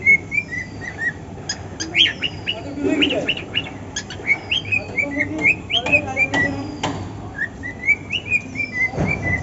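A cockatiel sings a rambling string of chirps and short rising whistles, with sharp clicks between.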